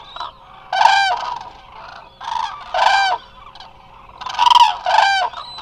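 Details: At Israel's Hula Nature Reserve, a resting flock of Eurasian cranes filmed live gives loud trumpeting calls in separate bursts roughly every one to two seconds, each ringing and harsh.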